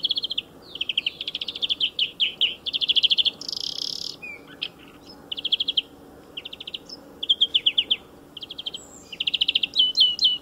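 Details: European greenfinch singing beside a motor racing circuit: fast trilled runs of chirping notes and twittering phrases, broken by a brief buzzy note and short pauses, then a quick rolling trill at the end; the background is quiet, with no engine noise.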